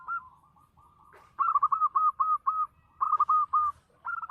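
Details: Zebra dove, a local Indonesian bird known for a big voice, giving mellow whistled coos: a short opening note, then quick rolling bursts of clipped fluty notes in two groups, and a final note.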